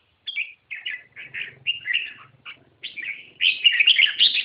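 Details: A red-whiskered bulbul gives a string of quick, liquid chirps and slurred notes. These build into a dense, jumbled warble toward the end. A faint low rumble sits under the middle notes.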